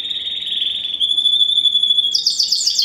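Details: First-generation Spanish Timbrado x wild canary cross, bred 2015, holds a long pure high whistle for about two seconds, then breaks into a quick higher pulsing trill.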